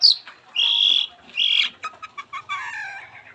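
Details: Long-tailed shrike (cendet) singing actively with its full repertoire, played as a lure to make other shrikes sing: loud buzzy high phrases alternating with short sharp chirps and a falling warbled note at the end.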